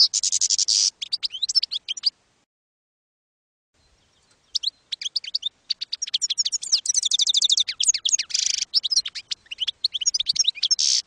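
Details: Campero-style European goldfinch song for teaching young birds: bursts of rapid twittering and buzzy, tinkling notes, broken by a silent pause of about two seconds, then resuming in a long, busy stream of chirps and trills.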